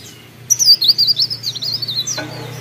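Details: Mountain leaf warbler (cikrak daun) from Pare Pare, singing energetically: a rapid, very high, thin twittering phrase of quick zigzagging notes lasting under two seconds, ending in a sharp sweep, over a steady low hum.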